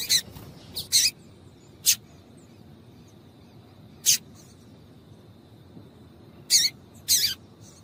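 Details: Female double-collared seedeater call meant to get males singing: a few short, bright chips, some doubled, separated by pauses of one to two seconds, with a faint steady high whine behind.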